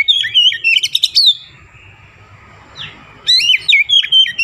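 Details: Oriental magpie-robin in full, active song mixed with Javan myna imitations: loud bursts of sharp whistled and chattering notes around one second, a quiet pause, then another rapid run of rising and falling whistles.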